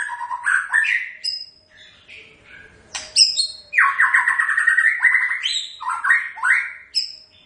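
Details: White-rumped shama (murai batu) singing energetically, mixing sharp chips, high thin whistles and long runs of rich warbled notes that step up and down in pitch.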